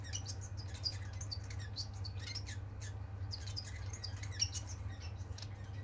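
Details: Several pet society finches kept indoors, recorded on 21 February 2022 while perching on fingers: short, sharp high chirps and squeaky notes scattered irregularly from several birds, over a constant low hum.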